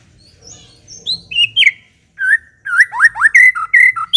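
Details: White-rumped shama singing, offered as a lure so other shamas reply and sing steadily. Soft, high whistles open the phrase; after a brief silence comes a rapid string of loud, rising-and-falling slurred whistles.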